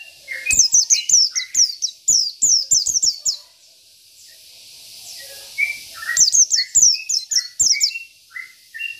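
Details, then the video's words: Local Oriental white-eye in 'isian' style, used as a tutor and to rile rivals. A long string of quick, high, slurred chips breaks off into quiet, then resumes with mixed lower whistles. "PLECI BIKIN EMOSI LAWAN || Pleci Lokal || Pleci Isian"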